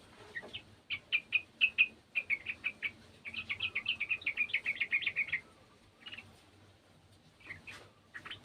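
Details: Sooty-headed bulbul singing along with another bulbul: spaced bright chirps speeding into a rapid, rolling chatter, then a few separate short notes after a pause.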